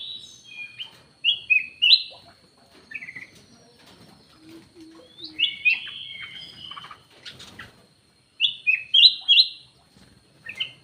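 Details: Black-naped oriole lure call: bursts of quick slurred whistles in tight clusters separated by pauses, with soft low cooing and wing flaps in the background.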